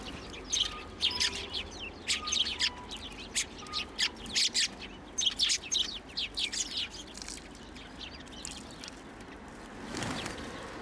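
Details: Sparrows at a Tenmangu shrine on 1 January 2024, landing on a person's hand to be fed; a dense run of short, sharp chirps from several birds over the first seven seconds, then quieter, with a brief soft rush near the end.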